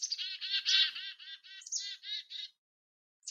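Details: Black-capped Chickadee alarm in winter, with chickadees moved up to the treetops calling to each other: a rapid run of about ten harsh, buzzy 'dee' notes over two and a half seconds, ending with a faint high note. More dees signal higher threat, possibly a predator nearby.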